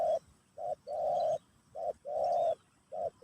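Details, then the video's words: Spotted dove song in the Pesom/Kacuk style, played in a session teaching a new bird: low hollow coos alternating short and drawn-out notes, short-long pairs repeated about every second. "Burung Terkukur Pesom/Kacuk...Sesi Mengajar Burung Baru"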